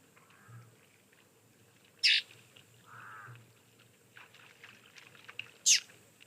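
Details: Pied crow, a resident at a waterhole in late morning in mid-November, giving two harsh, croaky caws about three and a half seconds apart, with softer bird notes between them and a steady insect hum behind.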